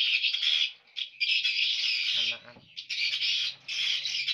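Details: Many swiftlets calling in the hatching room of a swiftlet house: loud, sustained high-pitched twittering in long waves, with a brief low human voice partway through and a faint steady hum.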